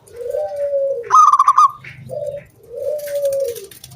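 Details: Zebra dove of local wild stock singing to coax other doves into song: a low smooth coo, then a bright rattling trill, a short low note, and another long low coo.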